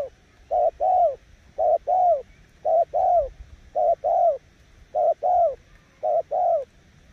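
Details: Decoy spotted dove cooing in the 'gù' style, steady pairs of low husky notes, each short lead note followed closely by a longer slightly falling one, about one pair per second.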